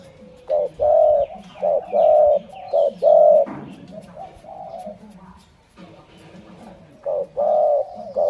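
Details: Spotted dove cooing: low, hollow coos in groups, each a short note followed by a longer drawn-out coo, repeated in a phrase, with soft background chatter and faint noise between phrases.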